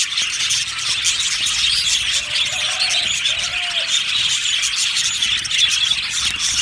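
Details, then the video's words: Many happy budgies in an aviary chirping without a break, bright high warbling and twitters layered thickly, with two short lower tonal notes partway through. "Happy Budgies chirping sounds | Budgies sounds"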